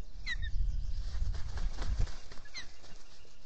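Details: Three ospreys at a nest at Salt Point in the Finger Lakes, US, on a morning in late April 2022, caught by a solar-powered nest camera. A few sharp, down-slurred chirps come through over low rumbling wind and the thumping of the camera housing.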